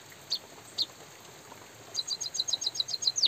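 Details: A white-headed munia calls with natural pauses in drizzle. Two isolated high chirps come first, then a fast series of about a dozen sharp tweets ending in a longer falling whistle.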